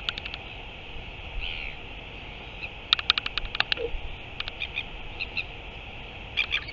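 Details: Northern royal albatross recorded 9 September 2023: sharp dry clicks in quick bursts, clustered near the middle and end, with a brief lower chirp, over a steady hiss of background noise.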